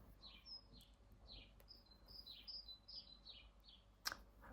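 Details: Great tit singing outdoors, its song likened to a two-note hee-hoo: faint, high whistled notes alternating in pitch and repeated steadily, with a sharp click near the end.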